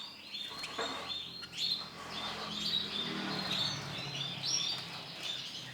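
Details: Canary, a white male, delivers high twittering song phrases with sharp whistled accents over a steady low background hum.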